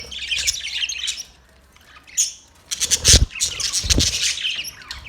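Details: Budgerigars in a parrot colony setup chatter together: dense, scratchy high chirps and warbles come in bursts, with a quiet gap near two seconds and two low knocks or thumps among the calls.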